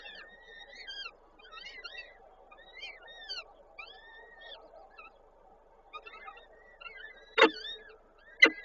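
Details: Peregrine falcons feeding chicks at a nest in Koszalin, 13 May 2022, the male having brought prey; a series of thin, arched squeals roughly once a second, then two sharp loud knocks near the end.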